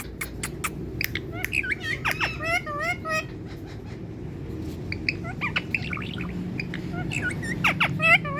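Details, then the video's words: Indian parrot sitting in sunlight, giving its natural talking voice: rapid series of short, hooked chirps and squawky notes over steady low background rumble. "Tiger Indian Parrot Enjoying Sunlight Natural Talking Voice"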